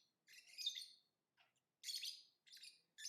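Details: Lovebird chirping in harsh, buzzy high-pitched bursts, four main phrases spread over three seconds with short gaps, plus a faint brief note between them.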